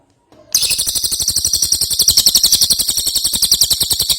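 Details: Ashy tailorbird in lively, prolific song, recorded as a tutor track for other songbirds. After a brief quiet start, a rapid, steady run of very high, sharp chattering notes continues to the end.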